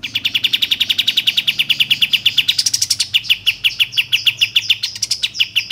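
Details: Caged songbird lure meant to prompt other birds into singing and tail-fanning: a continuous fast series of sharp, high chattering notes, several per second, with brief rising strained phrases midway.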